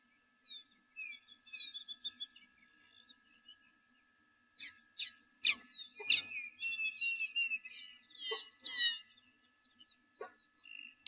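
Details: Lesser striped swallow at a waterhole on 26 December 2023, a summer migrant there to nest: thin twittering notes and short nasal phrases, high and irregular, with sharper clicks later, over a faint hum.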